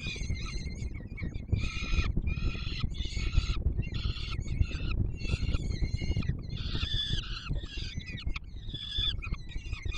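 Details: Hungry peregrine chicks on the Palace of Culture and Science, Warsaw, while the male feeds them, July 2022: rhythmic harsh screams in repeated blocks roughly every second, over heavy low-frequency noise.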